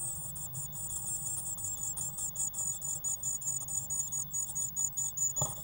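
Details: Eurasian blue tit chicks growing fast in a nest box, 1 June 2016: loud, high, shrill squeaks in rhythmic pulses about twice a second, with a single knock near the end.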